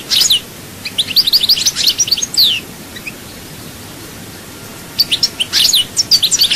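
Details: European goldfinch singing near Souk Ahras, Algeria, in the Chaayba song style: quick bursts of tinkling, twittering high notes and short buzzy slurs, pausing for over two seconds before a fresh burst.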